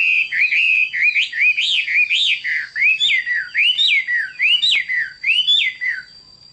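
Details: Hwamei singing a run of clear, looping whistled notes, each rising then dropping, repeated steadily more than once a second, with a thin constant high tone behind.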